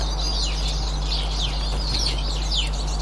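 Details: Eurasian siskins on 18 March 2024 giving thin, high, sharply descending whistled calls about every half second amid soft chattering, with a steady low hum beneath.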